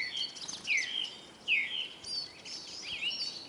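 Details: Hungry Eurasian siskins at a bird feeder in Kolmården, Sweden; clear drawn-out wheezy calls that swoop down then up, repeated about every second, over a background of high twittering from other siskins.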